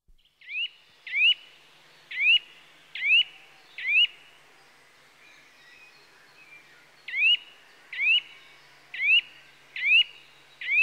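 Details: Eurasian nuthatch (Sitta europaea) calling: loud, clear whistled notes sliding sharply upward, given five times about once a second, then a pause of about three seconds before five more in the same steady run.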